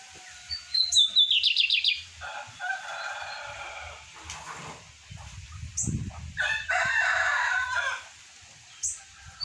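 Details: Lined seedeater, captive, singing at about 8:30 a.m.: whistle and fast trill, then two rough buzzy phrases separated by brief pauses, with sharp high notes between, and low background murmur.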